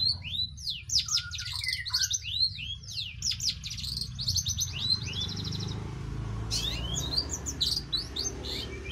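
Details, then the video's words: Long-tailed shrike pouring out a rapid, varied song of chattering notes, quick whistled swoops and scratchy phrases, pausing briefly before another busy burst, against a rumbling low background. "cendet gacor manteb banget"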